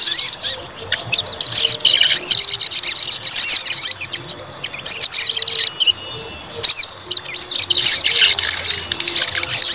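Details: Fighting-mood song of a white-rumped shama under provocation: energetic high rising-and-falling whistles mixed with fast chatter, in bursts a second or two long separated by short breaks.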